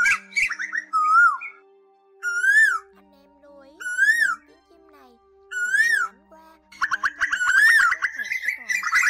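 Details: Asian koel call used as a night-net lure for migrating birds, August 2024: separate rising whistled notes about every two seconds, ending in a dense burst of mixed chattering birds, with a steady faint hum.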